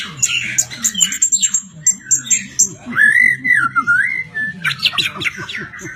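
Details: Murai batu, the white-rumped shama, delivering a varied song of harsh chatter, sweet rising and falling whistles and sharp high notes, with faint low background noise.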